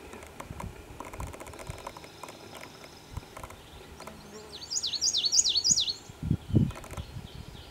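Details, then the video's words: Chestnut-sided Warbler odd song, with a cadence like a Common Yellowthroat but all wrong in quality: a quick run of about seven high, slurred notes lasting under two seconds, then low thumps, a grunt and faint background noise. "Chestnut-sided Warbler (Odd Song)"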